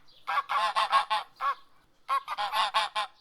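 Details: A domestic goose gives two bursts of loud, harsh, brassy nasal honks, five or six in quick succession each, with a short pause between; honking serves communication within the flock and alerting others to threats.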